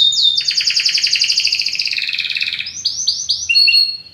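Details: Belgian canary delivering a strong, fast pulsing trill on two pitch layers that slowly drops, followed by several short clipped whistles and a thin sustained note.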